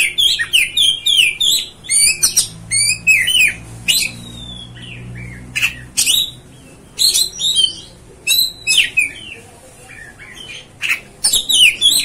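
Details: Kacer (Oriental magpie-robin) singing to provoke other birds: long sequence of energetic phrases mixing harsh high bursts, downslurred whistles and chattering notes, broken by brief pauses.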